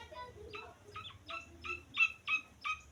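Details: Grey francolin chick uttering seven short, sharp peeping notes about every third of a second, growing louder toward the end, with a low hum underneath.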